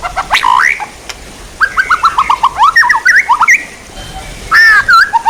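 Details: White-rumped shama, recorded as songbird training material: varied whistled notes and quick slurred chips in a lively burst, then a short pause and a final loud rich phrase.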